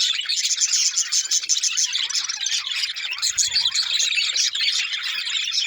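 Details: Steady chorus of budgerigar chatter, busy overlapping high-pitched chirps and twitters with no pauses.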